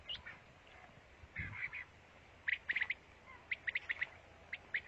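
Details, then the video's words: Quail from Pakistan singing bright, clipped notes in tight clusters of two to four, spaced by short pauses, over a soft hiss with a faint low rumble early on. "Pakistani Batair song"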